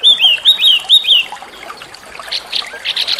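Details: Training song of a small songbird, meant to stir caged white-rumped shamas and magpie-robins into song; a quick run of bright slurred whistles, then softer scattered chips and high notes toward the end.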